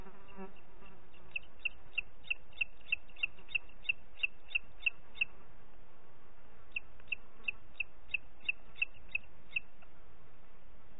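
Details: Repeated sharp high notes from a booted eagle, Parc Natural dels Ports, 30 June 2021, 11:01: one rapid series of about fifteen notes, a silent gap of over a second, then a second series, with low rumble throughout.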